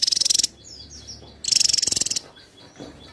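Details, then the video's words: Javan tesia, a dense-singing bird for competition training, delivers two quick bursts of rapidly repeated, very high, sizzling notes, each under a second, followed by faint thin whistles. "Tesia jawa gacor rapat"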